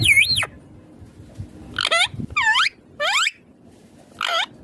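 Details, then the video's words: Talking rose-ringed parakeet: a string of nasal, word-like syllables, each curving down then up in pitch, separated by short silences, about five distinct utterances. "Ringneck Green parrot Talking Natural Sounds"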